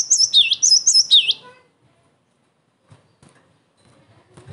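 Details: Cinereous tit song meant to lure rival tits into replying and to train other birds: one quick burst of three high, clipped double notes, each dropping into a lower swoop, then near silence with faint rustling.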